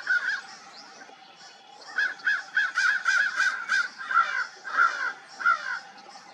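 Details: Crows at dawn, a group calling together: harsh, hoarse caws in an irregular series, a short burst at the start and then a run of about a dozen overlapping caws in the second half.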